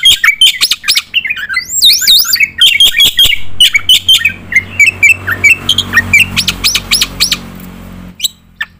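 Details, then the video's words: Black-winged myna in energetic 'gacor' song, used as tutor material for competition birds: a varied jumble of whistles, upward and downward slurred notes and harsh squawks, delivered almost continuously. "jalak putih gacor full nembak isian untuk masteran burung lomba"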